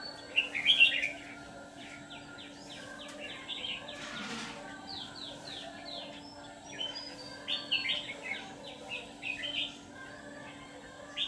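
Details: Decoy red-whiskered bulbul used for trapping, a white-cheeked ché singer; dense runs of rapid chirpy, warbling notes, with a loud opening phrase and a second busy cluster later, a brief thump midway.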